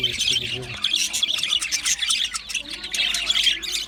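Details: Australian budgies singing and chirping when content: loud, harsh squawks and rapid high chatter packed tightly together, with a short low murmur at the start.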